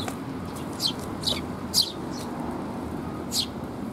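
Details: Eurasian tree sparrow fledglings receiving food from their parents, 6 May 2021. A handful of thin, high chirps sound, spaced about half a second apart, then one more after a pause, over low background noise.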